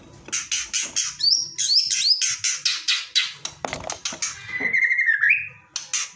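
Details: White-rumped shama in an aggressive, shot-filled song meant to provoke silent birds into answering: rapid harsh broadband bursts alternating with bright upslurred whistles, ending in a sustained wavering whistle.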